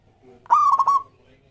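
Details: Single song phrase from a local Zebra Dove, sung as a lure for other doves: a clear ringing coo broken into several quick stuttered pulses on one level pitch, lasting about half a second.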